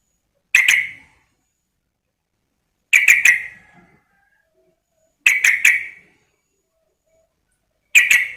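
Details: Sooty-headed bulbul female calling a male with sharp, bright clipped notes delivered singly or in quick groups of two to three, repeated every two to three seconds in silence.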